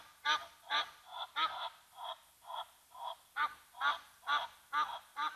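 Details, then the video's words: Egyptian Geese at the Gnu Pan waterhole of Mabula Game Lodge, South Africa, upset by a Brown Hyena: loud harsh honks repeated roughly twice a second, some doubled, with a rasping nasal edge, continuing steadily for the whole stretch. "Brown Hyena, upsetting the Egyptian Geese at Mabula Lodge's Gnu Pan"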